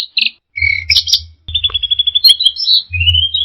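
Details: Brief burst of orange-headed thrush teler song: chirpy notes and a buzzy trill, then a fast run of evenly repeated high notes that melts into rising whistled slurs, over low rumbling knocks.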